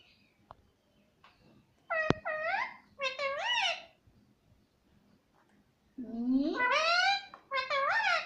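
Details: Pet parrot talking, repeating words such as "Mummy" and "Mitthu mitthu"; two short bursts of harmonic, arched speech-like syllables, a pause, then a longer rising-falling phrase and a final burst, with a sharp click early on.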